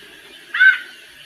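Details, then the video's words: A female white-necked thrush imitates male song while warming up, giving one short, harsh, harmonic-rich note over a steady low hiss. "ESQUENTANDO SABIÁ COLEIRA - FÊMEA MACHEANDO"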